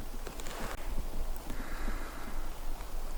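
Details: Low wind rumble against the microphone with faint background noise; no animal calls stand out.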